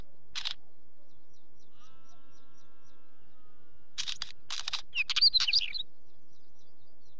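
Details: A Wheatear sings: one short scratchy note, then a phrase of harsh crackling notes that ends in twisting, warbled high notes. Faint high chirps and a low sustained tone sound in the background.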